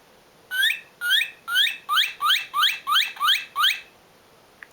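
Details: Northern cardinal (Cardinalis cardinalis), song.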